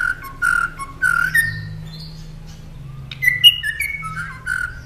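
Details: Northern mockingbird, recorded as a master for caged songbirds, singing varied whistled phrases: short repeated clear whistles, then a pause and a run of higher and lower whistled notes with bright chips.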